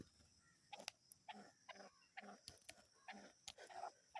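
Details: Black francolin giving angry calls: short, harsh, scratchy bursts repeated about every third to half second over four seconds, mixed with sharp clicks, against a quiet background.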